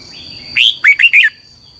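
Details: Training song of a red-whiskered bulbul, long twisted double-voice style, meant as lure song for teaching birds: one slurred, falling whistle, then three fast warbled notes in a tight phrase, with a steady high tone in the background.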